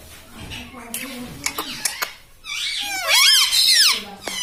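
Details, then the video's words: Pet green ringneck parrot talking indoors, taught mummy, papa, mitthu; soft human voice and taps at first, then a long loud shrill parrot phrase of wavering, gliding syllables. "mummy bolne wala tota - Papa Bolne Wala Tota - Talking parrot - Mitthu Mitthu"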